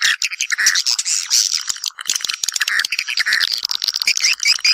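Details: Swiftlets calling mates to the nest with rattling, clicking chatter mixed with short squeaky chirps, coming in quick choppy bursts.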